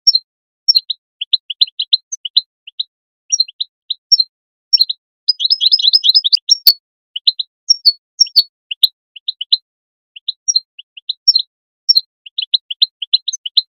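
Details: Goldfinch call notes played to motivate goldfinches to sing: repeated high, bright chirps in pairs and triplets, with a dense rapid twittering flurry in the middle and a sharp click, then steady spaced chirping resumes.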